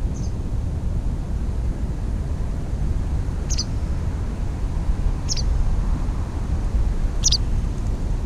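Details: A white wagtail (Motacilla alba) at its nest with eggs near a tram line, recorded in May 2017, gives three brief, high, sharp chirps about two seconds apart over a steady low rumble of traffic.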